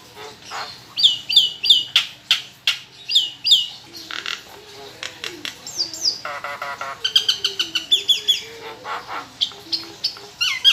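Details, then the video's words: Household Nias hill myna singing, a song said to draw other birds into singing; varied and harsh, mixing clear paired whistles, squawky chatter and fast rattling bursts of notes, with loud and quiet passages alternating. "PANCINGAN JALAK NIAS (BONGKAR FULL ISIAN)"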